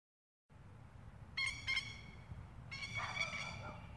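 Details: Spur-winged plovers dive-attacking a stray animal and the person recording, at night in Queensland, Australia; loud, strident repeated metallic calls in two bursts after a moment of silence.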